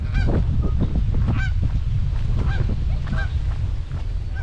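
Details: Canada geese gathered in a guarding formation around their goslings at a Michigan pond in May 2021; scattered nasal honks, fainter and irregular, nearly buried under strong low wind rumble.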